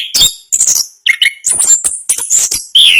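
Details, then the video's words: Rolling 'ngerol' song of a champion Orange-headed thrush: high squeaky bursts alternating with lower whistled slurs, one short gap near a second in, ending on a steady clear whistle. "Anis Kembang Gacor Ngerol Speed Rapat. Suara Kicauan burung Anis Kembang Juara Nasional"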